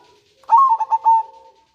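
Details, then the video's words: Zebra dove, a local bird, giving its manggung song, used as a lure and to bring doves into breeding condition: a short phrase of four ringing coo notes, the last drawn out and fading. "Perkutut lokal gacor suara MANGGUNG dan NRETEK cocok untuk MENDONGKRAK BIRAHI PERKUTUT"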